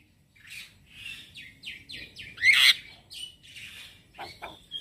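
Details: Softer morning song of a male Javan myna, used as lure and tutor song for starlings: husky downslurred notes in a row, one loud rasping burst, then thin whistles and clicks.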